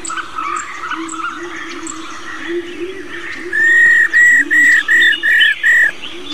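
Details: Old wild-caught female black-throated laughingthrush giving its rattling 'rò' call, used to stir male birds into song: after softer chattering and a steady low hum, six loud harsh buzzy notes come in quick, even succession.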